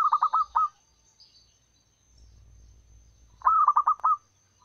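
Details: Lure call of a wild local zebra dove, the female calling for males: two quick trills of five or six bubbling coo notes, about three seconds apart, over near silence.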